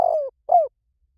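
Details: Spotted dove on a fast-response lure recording: one burry descending coo followed by a shorter arched coo, deep and soft, in a quiet background.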